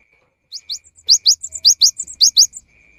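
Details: Singing cinereous tit, a lure recording for the rainy season: rapid rising whistled notes interleaved with short high chips, a bouncy phrase of roughly twelve notes lasting two seconds. A soft pulsing tone sits in the background.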